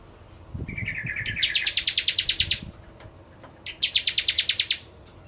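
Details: Bar-winged prinia, singing actively as a lure for ciblek kristal: a thin trill climbing into a loud run of rapid high chips, then a second shorter burst, with soft low thumps in the background.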